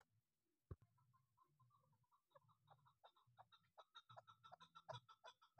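A female chukar gives a run of hoarse clucking notes that speed up into a rapid chattering series. A low rumble and a sharp click are also heard.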